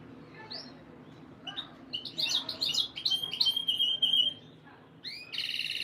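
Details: Canary song played for breeding conditioning to stimulate females' mating instincts: after a quiet start, a burst of rapid high chirps and trills runs for about three seconds, then sliding upward notes and a final buzzy phrase, over a faint low hum.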